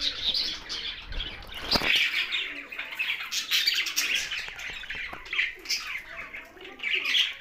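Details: Pet budgies kept with a parrot in Larkana, Sindh, chirping and warbling in a loose, uneven chorus, with scattered sharper notes and a brief flutter of wings.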